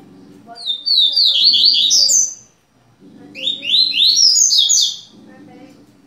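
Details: A pair of double-collared seedeaters indoors in Rio de Janeiro gives two bursts of quick, high twittering notes, each about a second and a half long, over a low household hum and faint voices.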